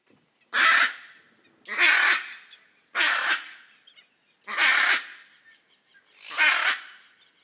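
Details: Hyacinth macaw, the largest parrot, a bird of Brazil's Pantanal: five loud, harsh, raucous squawks, each about half a second long, spaced roughly every 1.2 to 1.5 seconds against a quiet background.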